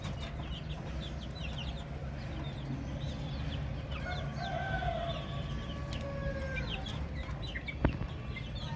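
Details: Baby chicks giving a flurry of high, falling peeps, with a longer, lower, wavering tone in the middle and one sharp click near the end.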